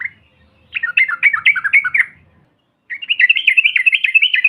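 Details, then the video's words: Yellow-vented bulbul lure sound meant to rouse other birds: two quick bubbly chattering bursts, the second a tighter, more even rapid trill of repeated notes. "TRUCUKAN BAHAN ATAU Ombyokan, Paut BISU Seketika BUNYI NGAMUK Mendengar SUARA INI"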